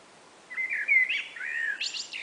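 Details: Common blackbird, one of two answering each other on a spring afternoon. A clear, flute-like warble of gliding notes is followed by a brief, scratchy, high-pitched flourish.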